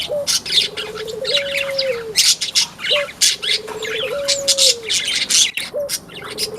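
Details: White-eye of the Buxtomi type in a small aviary, singing constantly: rapid, high, twittering chirps in dense bursts, with a long, steady, lower whistled note rising and falling repeatedly beneath, probably from another bird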